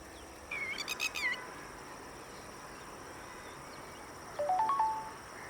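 A red-wattled lapwing gives a brief burst of sharp, high, rapidly pulsed notes; a few seconds later a short phrase of clear tones steps upward in pitch.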